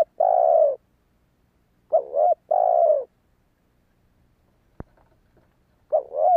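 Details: Spotted dove calling to lure wild doves: loud, clear cooing in alternating phrases, a long mellow drawn-out coo followed by a short doubled note, repeated twice, with a single sharp click near five seconds and otherwise quiet surroundings.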